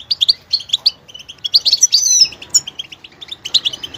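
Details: Goldfinch pouring out rapid high chirps and tinkling notes, including a drawn-out twittering run midway, then spaced bright chirps.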